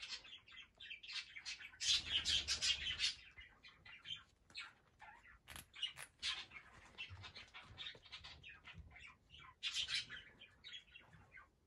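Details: Young male cockatiel chicks give a busy run of scratchy, high chirps and squawks, several birds overlapping, with a few soft rustles and wing flutters.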